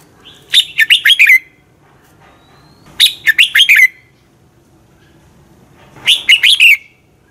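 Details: Red-whiskered bulbul giving morning fighting song used to train and rouse other bulbuls: short bursts of four or five bright, slurred whistled notes falling at the end, repeated about every three seconds over quiet background.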